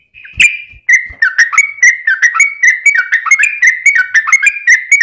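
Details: Bulbul known locally as trucukan, in long 'ropel' song used to provoke other birds to answer: one clear whistle, a short gap, then an even run of rapid chattering notes.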